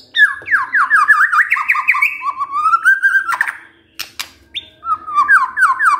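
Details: White-rumped shama kept as a cage bird, singing long flowing whistled phrases made of quick repeated down-slurred notes climbing and falling, broken by a harsh burst and clicks.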